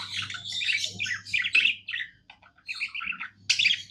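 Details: A happy pet budgie sings a bright, high chattering warble: quick twittering chirps and clicks in dense runs, with a short pause midway, over a faint low hum.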